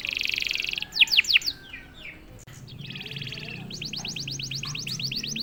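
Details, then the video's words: Canary, a quiet bird that starts singing after a single prompt: a fast buzzy trill, then rapid descending whistled notes, a pause, and renewed rapid trills and repeated sweeping high notes. "KENARI GACOR||060|| Sekali pancing kenari diam langsung bunyi."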